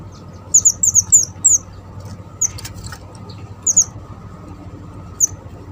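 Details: Java sparrow chirping, presented as a lure for trapping birds: a quick run of four high, sharp downslurred notes, then scattered single and paired squeaky chirps with pauses, over a low background hum.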